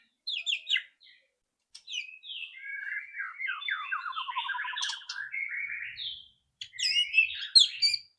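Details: Loud rattling song of a White-rumped shama used to encourage a bird to start singing, a rich flowing phrase of rapid descending slurred notes and chattering runs, bracketed by sharp high chips.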